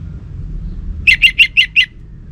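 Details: Orange-headed thrush from northern Bali, a kept songbird, utters five evenly spaced sharp chirps in under a second, after a quiet pause with low background hum.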